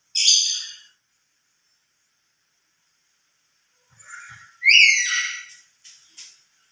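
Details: Lory giving loud calls when emotional, said to be louder alone than with other lories: a harsh, broad screech, then after a silent gap a rising, grating squawk with a few short notes after it.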